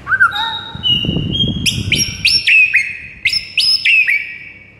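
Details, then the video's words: White-rumped shama song heard in the morning: loud clear whistles, some flat and some sharply rising, in separate phrases, with a burst of low rustling noise in the middle. "Murai batu BISU seketika NAIK EMOSI dengar MASTERAN PAGI ini"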